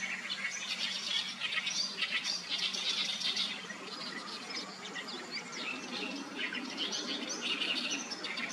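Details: A common moorhen at a vegetated wetland is feeding its chicks while thin, high peeping chirps come in quick, uneven bursts of about three a second, over a steady hiss and a faint low hum.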